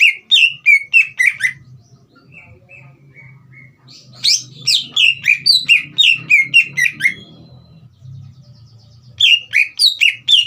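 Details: Vigorous green leafbird song to provoke a young bird into singing. Repeated bursts of quick, chirpy, down-sliding whistles with brief soft notes between, over a steady low hum of background noise.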